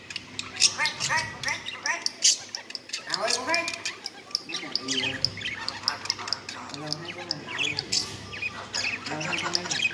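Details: A year-old pet common hill myna chatters in mimicked words and phrases, including "hello" and "happy birthday", mixing speech-like bursts with sharp squawks and whistles; faint music plays behind.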